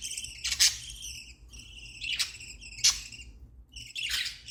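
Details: Happy chirping from pet budgerigars: four scratchy, harmonic chirps, each with a sharper squawky burst, spaced roughly a second apart over a faint low background hum.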